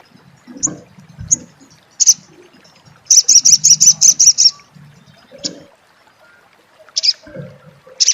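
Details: Crecet chatter from a sunbird, locally sogon or sogok ontong: isolated bright chips, then a tight train of about nine piercing high notes in one and a half seconds, followed by more spaced single chips.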